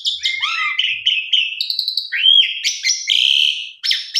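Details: Vigorously singing Asian pied starling with a richly varied song, used to spur other birds into singing. Rapid mix of rising whistles, upslurred notes and buzzy chatter, continuous and busy.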